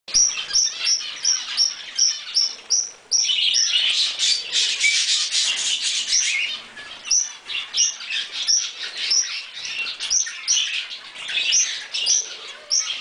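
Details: One of a pair of pet monk (Quaker) parakeets, eating a strawberry, gives short, sharp, high chirps in quick succession, with a harsher chattering burst midway.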